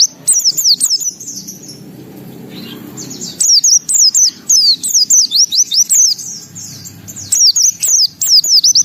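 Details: White-eye singing energetically with open beak, in rapid bursts of thin, high, slurred twittering notes that break off and resume after a pause, over a low steady hum.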